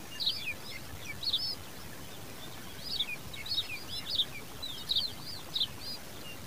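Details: Common babbler babies crying while their mother feeds them: repeated clusters of sharp, high squeaky chirps roughly every second, over steady outdoor background noise.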